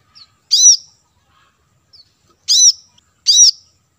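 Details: A brown-throated sunbird, whose call is used as a lure to draw in wild birds, gives three sharp, high, chattering notes at uneven intervals, with faint tiny ticks between them.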